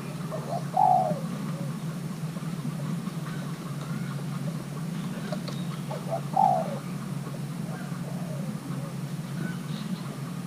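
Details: Young male Thai-hybrid spotted dove being paired gives two isolated low coos about five seconds apart, each a short note then a drawn falling one, over constant low hum.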